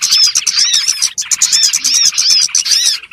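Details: Small birds' lure recording used for trapping: dense, rapid high chirps and short whistled notes packed almost continuously, with a brief gap near one second, no other sounds clear.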